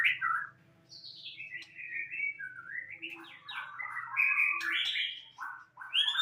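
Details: White-rumped shama kept as a cage bird, pouring out a varied warbling song of rich whistles, slurs and quick trills that move up and down in pitch, over a faint low hum.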